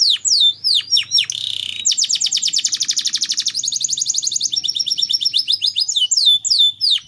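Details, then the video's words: Canary lure song meant to get other canaries singing readily: swept whistled notes, then a long buzzy rapid trill and fast repeated chips, ending with downward-swept whistles. "Pancingan Burung Kenari Agar Cepat Gacorr"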